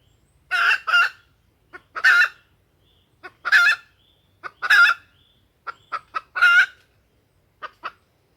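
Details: Female junglefowl lure calling used to provoke males into crowing: paired harsh squawks, then single squawks roughly every second and a half, interspersed with brief clucks.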